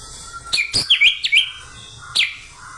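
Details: White-rumped shama singing in loud, clear whistled phrases: a few sharp slurred notes in quick succession, then a pause and one more bright whistled note, over a quiet background.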